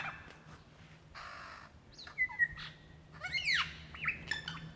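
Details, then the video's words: Male lyrebird calling for a female mate in Dandenong Ranges National Park, Victoria, Australia, February 2016: a rasping burst, then a long steady whistle and sharp downward-sweeping notes over a low background hum. "sounds of a Lyrebird calling for his mate"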